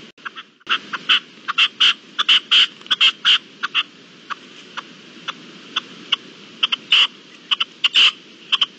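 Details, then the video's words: Red-legged partridge calling, recorded 25 April 2021: harsh, broadband chuck-like bursts in irregular runs, some notes doubled and stronger, repeating about eighty times a minute over a steady low background hiss. "Perdiz (Reclamo al final del vídeo)"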